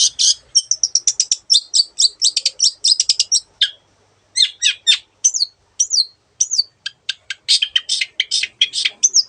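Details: Long-tailed shrike as a 'gacor' master bird with a song of many mimicked voices: a fast rattling series of sharp ticks, a brief pause, then upward-flicked whistles and clicks repeated rapidly.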